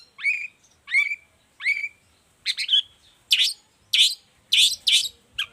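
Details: Long-tailed shrike singing strongly, for teaching and provoking other shrikes: three clear down-curving whistled notes about a second apart, followed by a quick series of harsh, buzzy chattering bursts.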